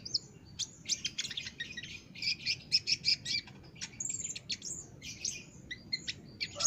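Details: Olive-backed sunbird in vigorous song, from a master track meant to teach caged birds: dense very high twittering and thin buzzy trills running almost continuously, with a few clear piping notes mixed in.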